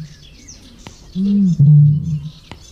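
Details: Eurasian bittern song from French ponds, very muffled and amplified through the bird's body, carrying several kilometres; a single deep, low boom in two parts lasting about a second, with distant small birds twittering faintly.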